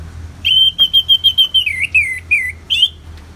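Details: Orange-headed thrush (anis merah) in the open ngeplong singing style, North Bali, Singaraja, with rain-sound therapy: a long level whistle broken into rapid pulses, then several slurred falling notes and a final upward flourish, over faint background hum.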